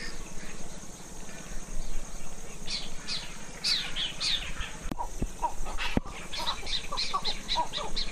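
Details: Spotted owlet in a community bird conservation area in Wakema township, Ayeyarwady Region, Myanmar, gives a run of harsh, squeaky chirps that drop in pitch, several per second, over a low hum with a couple of sharp clicks.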